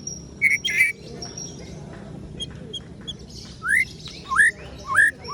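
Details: Ciung wanara white-rumped shama: two short rough notes, a quiet stretch, then a series of clear upward-slurred whistles repeated roughly every half second.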